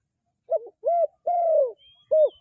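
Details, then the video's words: Low cooing dove: a wavering first note, a rounded coo, then a long coo sliding downward, ending with one more short coo; nothing else audible. "សម្លេងលលកទ្រោលបរ សម្លេងដេញណាស់😍The sound of a dove is very quiet, the sound is very chasing"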